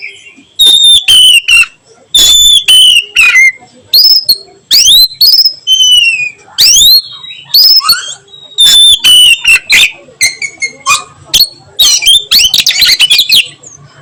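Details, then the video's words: Oriental magpie-robin, kept bird, singing melodiously in the afternoon: a loud varied string of clear whistles, falling slurred notes and sharp rising upsweeps, with quick chattering bursts near the end, phrases following each other almost without pause. "KACER NYIUL MERDU SORE HARI"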